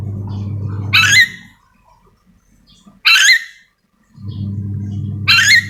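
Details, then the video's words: Three grating, high screeches roughly two seconds apart from a calling nuri dora, the yellow-and-green lorikeet of Sulawesi; a low hum comes and goes between calls. "Suara asli nuri dora memanggil"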